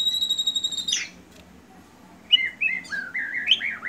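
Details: A Medan-type white-rumped shama sings. It opens with a long, pure, high whistle that drops away, then after a pause gives rapid, varied whistled phrases that slide up and down.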